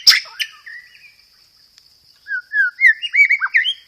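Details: White-rumped shama song used as a lure and tutor recording, rich in sparrow-fight mimicry and rolled phrases: a sharp burst, then a pause, then a quick string of rising and falling whistled slurs over a steady high tone.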